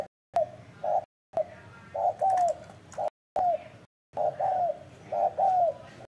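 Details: Spotted dove calling in a soft hooting rhythm: a short coo then a longer falling croo, repeated in several phrases separated by sudden silent gaps.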